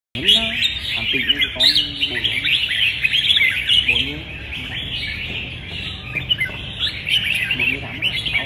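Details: Red-whiskered bulbuls in a singing contest, recorded 15/12: dense, continuous bright chirping and warbled phrases with quick up-and-down notes. Soft murmuring speech and faint music sit underneath.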